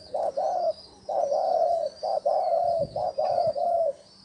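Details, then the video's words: Spotted dove cooing as a decoy to lure wild doves: clear hollow coo notes in two-part phrases, a short gap between groups, and a faint high buzzing background. "Tiếng chim cu gáy gù gọi hay cực chất dùng kích bổi gù kich mồi"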